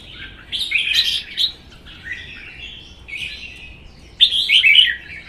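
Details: Caged red-whiskered bulbul in a Vietnamese singing duel; the wild-caught bird is in its first caged season, tail spread. Three short phrases of bright, scratchy whistles, the last starting sharply and loudest.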